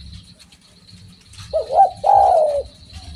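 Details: Low, mellow cooing from a spotted dove after a quiet start: two quick curved notes lead into one drawn-out, slightly wavering coo. A faint constant hum and soft low rumble continue behind it.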